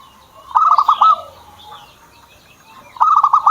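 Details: Zebra dove owned and kept as a songbird, just starting to sing: two short bursts of fast clipped rolling notes about two and a half seconds apart, with soft background hiss and faint chirps.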